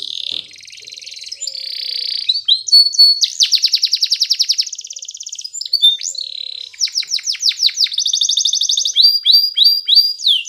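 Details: Belgian canary song used for training young canaries to sing: loud, varied high trills, rapid repeated notes in rolling series, buzzy rattles and clear whistled tones, shifting between phrases every second or two.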